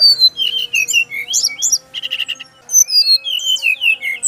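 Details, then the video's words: Male brown-chested jungle flycatcher from Bali, a song said to make other birds of its kind answer at once. Quick varied whistles and slurred high notes, with a brief buzzy rattle in the middle and a faint steady hum beneath. "SRDC laen langsung nyaut denger suara burung SIKATAN RIMBA INi"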